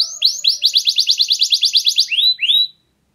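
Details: Clear-voiced canary singing to encourage a reluctant canary: about a dozen quick, evenly spaced rising chirps in a fast run, ending with two separate upward slurs.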